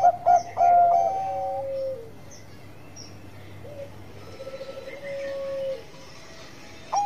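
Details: Bangkok-type zebra dove in a vigorous lure song: a few short, soft coos run into a held falling note, then long quiet stretches with faint distant cooing and a closing coo.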